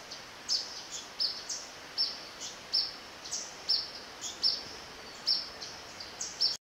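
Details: Yellow-bellied flycatcher (Empidonax flaviventris) recorded 11 November 2017 along the river section of Zamorano's Eco-Sendero, giving short, high, sharp call notes about two a second at an uneven pace, over a steady hiss of background noise.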